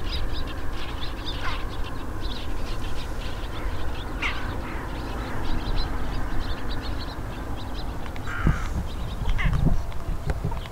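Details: Daurian jackdaws (Coloeus dauuricus) give short, scattered, scratchy chak calls every second or two over a heavy low rumble of wind or distant traffic.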